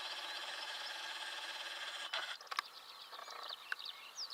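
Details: Eurasian skylark singing on a June 2016 morning in Belarus: a continuous, high, buzzy warble, broken by quick clicks and sharp rising twitters.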